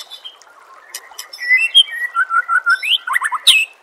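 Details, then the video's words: White-rumped shama song played to train contest birds: soft scattered notes, then a loud rhythmic series of rich slurred whistles repeated about four per second, ending in quick rising and falling whistled flourishes. "Suara Masteran Murai Batu Gacor"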